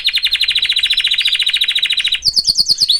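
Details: Caged canary kept with its family, singing a fast, even trill of rapid repeated notes for about two seconds, then switching to a few higher, sharper chirping syllables.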